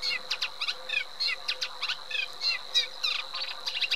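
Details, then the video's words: Eurasian reed warbler delivering its jerky chattering song, short harsh notes and little rising slurs repeated three or four times a second, with a faint constant high whine behind. "Cserregő nádiposzáta"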